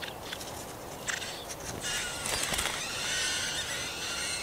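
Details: Marsh warbler at a nest in a forest park in Yekaterinburg, Russia, on 30 June 2020, while chicks are being fed; faint ticks at first, then a sustained buzzy, raspy call rising and falling over the last seconds.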